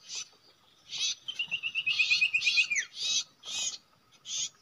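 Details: Common iora at a usual nesting site where birds are trapped: spaced harsh chatter bursts around a rapid series of short, even whistled notes that ends in a falling slur.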